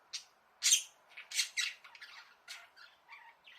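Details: Budgerigars kept as pets in a small bird house, caught on a hidden camera while calling to their owner to play; loud rasping squawks come in quick bursts, trailing into softer warbled chatter.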